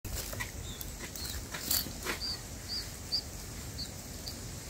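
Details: Bulbul chicks being fed by their mother give thin, high squeaky chirps, about one every half second, over a steady background hiss.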